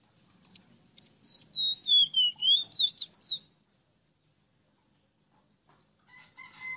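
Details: A ruddy-breasted seedeater, or rosita, delivers a run of about nine clear whistled notes, wavering downward then rising to sharp descending sweeps, followed by silence and faint harmonic tones near the end.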